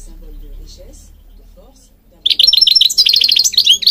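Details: Goldfinch song from Morocco meant for training birds: two seconds of faint low murmur, then a sudden, fast, high twittered phrase of chattering liquid notes and trills.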